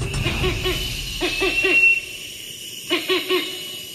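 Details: A wrinkled hornbill recording from the Predators of Asia & Africa exhibit at Fort Worth Zoo: short, nasal honking notes in quick bursts of three, about three notes a second, over a faint steady hum.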